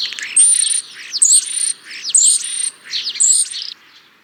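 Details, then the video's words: European starling singing four wheezy phrases, each a buzzy, squeaky burst capped by a piercing high whistle, separated by brief gaps. "European Starling - Songs"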